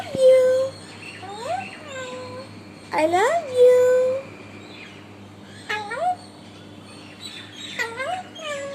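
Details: Six-month-old pet Alexandrine parakeet mimicking human words such as "Mittu" and "I love you", heard as clear, nasal, speech-like phrases with rising and falling pitch sweeps, in short bursts separated by pauses, with a steady low hum behind.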